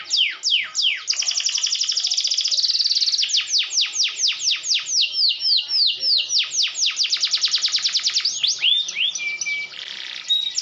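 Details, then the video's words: A canary, used as a lure to fire up rival canaries, sings a fast, continuous song of high rolling trills and quick downward sweeps, with a few clear whistled notes near the end. "pancingan burung kenari, bikin lawan emosi menyala meledak-ledak"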